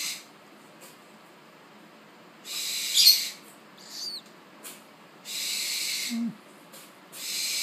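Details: A Spix's (tropical) screech owl chick hatched 1 September 2013, eyes not yet open, begging at its first feeding with three breathy, rasping hisses about two seconds apart and a faint high chirp between them.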